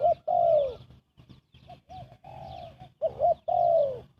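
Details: Spotted dove giving fast cooing used to lure birds for trapping: a run of hollow coos, some long and gently falling, others short and doubled, with brief gaps between them and a faint low hum underneath.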